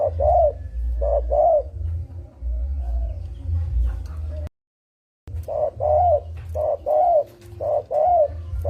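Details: Spotted dove lure call for trappers, paired soft hollow coos repeated about once a second with a short gap, over a steady low rumble and faint background noise.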